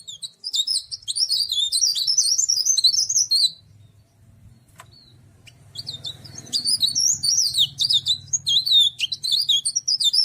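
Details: Cikrak daun, also called tralis, kept as an ornamental bird, singing rapid high twittering phrases of thin warbles and trills, pausing about two seconds midway before resuming the same busy, tumbling chatter; faint low hum underneath.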